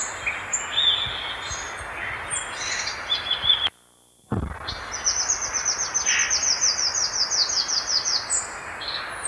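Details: Violaceous euphonia (gaturamo-verdadeiro) singing: a varied run of high thin whistles and chips, a brief gap, then a fast buzzy series of rapid repeated high notes, over steady background hiss.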